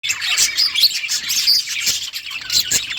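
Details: Flock of budgerigars in a colony, chirping constantly: dense overlapping warbles and squeaky chirps, continuous chatter with a few clearer notes standing out.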